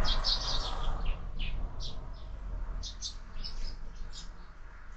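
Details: Sparrows visiting a feeder fixed to a window chirp repeatedly in short bright notes, about three or four a second at first then sparser, with constant low hum behind.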